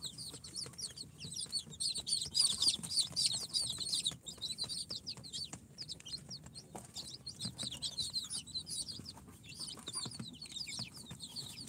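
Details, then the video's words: Chicks hatched in an incubator, four days old, of Sultan, Golden Sebright, Cochin and booted breeds, chirping in a busy group; high piercing peeps swell loudest early, then continue as scattered quick notes over scratching and tapping. "Chicks hatched from the incubator- Day 4 - Tatlı Civcivler - Cute chicks🐥- كتاكيت"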